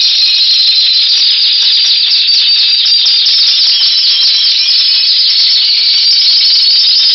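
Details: Timbrado canary in February 2012 delivering an unbroken, intense high trilling roll, steady in pitch and volume throughout.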